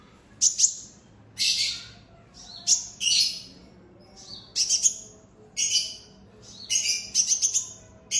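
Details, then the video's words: A purple-throated sunbird gives loud, high, sharp chirps in short rapid bursts, about one burst a second, with little else heard. "PURPLE THROATED SUNBIRD OR HUMMING BIRD LOUD CHIRP"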